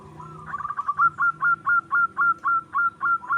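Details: Local wild zebra dove singing as a lure: a stammering start settles into clear, evenly spaced coo notes, about four per second, each rising slightly at the end.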